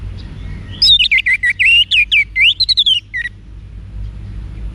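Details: Orange-headed thrush, Bali, Indonesia, singing a training song for cage birds: one continuous fast phrase of rich, slurred rising and falling whistles, about two seconds long, over a low hum.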